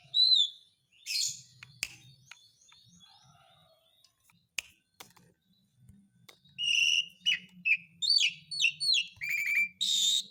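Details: Asian pied starling singing as a calling lure for lazy birds: scattered faint whistles and clicks early on, then a lively run of loud slurred whistles and chirps building toward the end.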